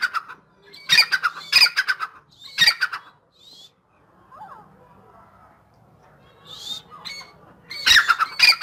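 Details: Dakhni teetar, or Grey francolin, in high spirits, giving three harsh ringing bursts of rapid grating notes close together, then a long lull with faint distant chirps and rustling, before one more loud burst near the end.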